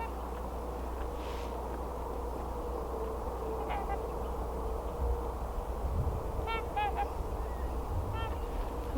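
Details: Trumpeter swans, many passing through lately, heard from a garden give a few distant, nasal, horn-like honks in two brief bursts against a steady low rumble of wind.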